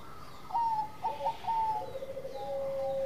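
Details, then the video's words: Zebra dove of the Bangkok perkutut type in full song, soft stepped whistled coos drifting down into a long steady tone, set against a hissy, noisy background. "Perkutut Bangkok Gacor Manggung"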